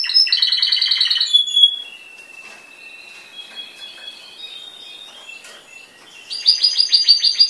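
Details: Contest-trained yellow timbrado canary with black markings, born 2012, singing a rapid pulsed trill, then a long quiet stretch of soft sustained whistled and rattling notes, ending with a loud fast rolling trill.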